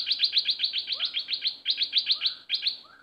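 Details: Decoy bulbul in a cage pours out a rapid, steady string of buzzy high chirps, several per second, with occasional lower rising whistles mixed in.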